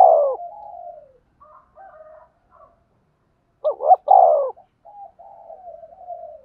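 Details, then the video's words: Decoy spotted dove calling to lure wild birds for trapping: a fading coo, then soft broken murmurs, a loud wavering two-part coo phrase, and a long low trailing murmur afterwards. "tiếng cu gáy mồi chuẩn gáy gọi và THÚC dùng kích bổi hiệu quả nhất"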